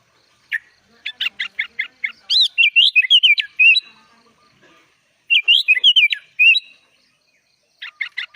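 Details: Sooty-headed bulbul singing 'gacor, full isian' as tutor material for young birds: a run of short sharp chips speeds into a tumbling, bubbly whistled phrase. A second warbled phrase follows, then more quick chips.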